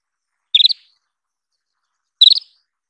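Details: Isabelline wheatear: a pair of short rattled calls, each several fast high notes climbing slightly in pitch, about 1.7 seconds apart, clean background.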